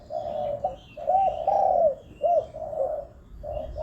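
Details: Spotted dove call for luring wild doves: low, rounded coos, some drawn out and arching, others short, softer and less regular, over a light background hiss.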